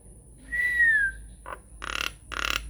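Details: Lure song of a Nias hill myna, used to coax quiet mynas into replying: one clear, slightly falling whistle, then a short nasal note and two rough, raspy bursts.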